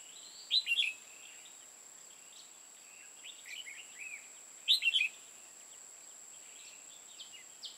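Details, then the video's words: Red-whiskered bulbul acting as a trapping decoy in Hòa Bình, Vietnam: loud warbled whistled phrases about every four seconds, with softer chirps from other birds between them and a steady high electronic tone. "Bẫy chào mào hòa bình"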